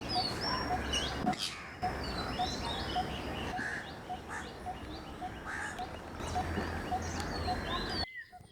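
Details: A Coppersmith Barbet (Psilopogon haemacephalus) gives a steady, mid-pitched metallic 'tuk' about twice a second, like a slow hammer on copper, over chirping from other birds.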